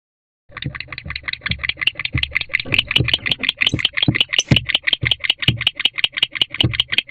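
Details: Barn owl pair in a nest box at night, 3:28 am, showing affection to each other; rapid, rhythmic dry clicking chatter repeated about three times a second, steady throughout, with occasional low thumps from movement.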